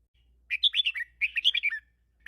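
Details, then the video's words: Red-whiskered bulbul singing a 'mae khru' teacher song of the 'double 3' style: two quick bursts of rich, warbled whistled notes, bubbling up and down, with a quiet background and a new phrase starting at the end. "เสียงนกกรงหัวจุก | แม่ครูสายเบิ้ล3เพราะๆ"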